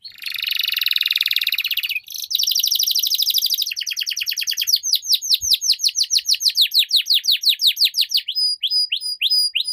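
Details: Canary singing: a loud, high buzzy trill, then a fast rolling trill, then a run of rapid repeated falling sweeps, ending in sharp clipped notes repeated about twice a second; no other sounds.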